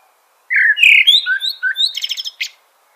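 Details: A common blackbird delivers a brisk phrase of mellow warbled notes that climb and fall, followed by a quick series of high thin squeaky chirps at the end.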